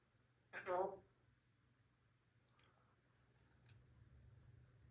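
A grey parrot gives one short, voice-like utterance with rich harmonics. A steady, high, pulsing cricket-like trill runs throughout, with a couple of faint clicks.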